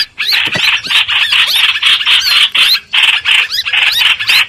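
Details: Streak-eared bulbul used as a lure for trapping: loud chattering phrases in two long runs separated by a brief gap, with scratchy notes and occasional upswept whistles.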